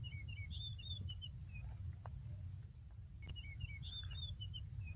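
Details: Yellow-breasted bunting song from a green meadow in Yakutsk, 4 June 2020; two bright whistled phrases, each a quick run of clear notes ending higher, over constant low background rumble.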